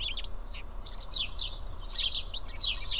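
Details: Several house sparrows sitting and eating together at Karyotissa in Greece give scattered sharp chirps and brief downslurred tweets with short gaps between them, over a faint low hum.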